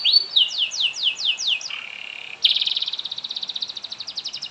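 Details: Canary song intended to trigger singing in other canaries: a handful of sweeping downslurred whistles, a low buzzy hold, then a loud rapid trill that slowly softens.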